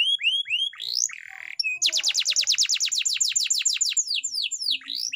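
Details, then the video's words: Canary singing a training song, with downward-sweeping whistled notes giving way to a fast, even rattle of clipped notes and then slower sweeping phrases. "canary bird singing _your canary will not stop singing with this training song_الكناري"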